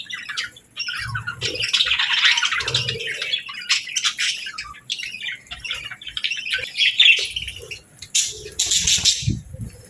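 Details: Morning budgerigars, feeding and bathing in natural light, keep up a continuous warbling chatter of mixed chirps and squawks, with soft low thuds and fluttering noises scattered through.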